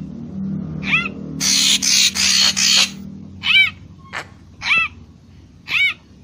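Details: Papuan magpie-robin lure song: a series of arched, harmonic whistled notes, each rising then falling, mixed with a run of harsh rasping bursts near the start, over a low steady hum.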